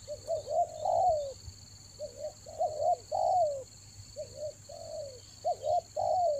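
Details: Toba lure spotted dove calling in the rainy season, with rapid phrases of wavering double coos ending in a stronger falling note, repeated four times, beneath a continuous high-pitched drone.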